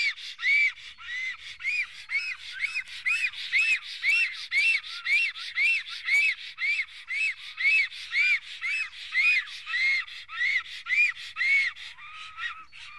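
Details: Black stork in Estonia guarding its nest on 15 April 2018, just before noon: a long run of buzzy, arched whistled calls, about two per second, fairly even, fading at the end.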